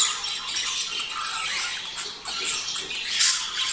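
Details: Budgerigars chattering, played to motivate pairs to mate: continuous high scratchy warbling and squawks, a brief dip just past two seconds and a louder burst near three.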